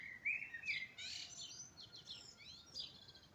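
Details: Birds singing in spring at dawn: a couple of loud whistled notes start things, followed by a rapid jumble of high twittering and chirps from more than one bird.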